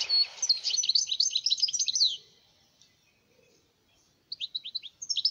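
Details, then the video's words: Wild European goldfinch singing in Algeria: a rapid, tinkling jumble of high twittering and chirping notes for about two seconds, a short pause, then another burst of bright liquid twitters. "تغريد حسون بري ،جميل"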